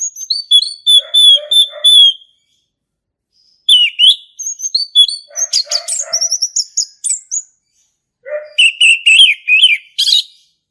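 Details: Male orange-headed thrush recorded in the forest, singing ngeplong: long runs of rapid repeated whistled notes mixed with low chuckles and trills, three phrases with short gaps.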